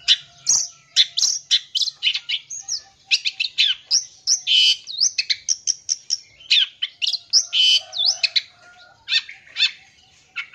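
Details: Long-tailed shrike full-isian song, played to excite and lure young birds. A dense, varied stream of chattering, rasping notes, clicks and slurred whistles runs without pause for ten seconds.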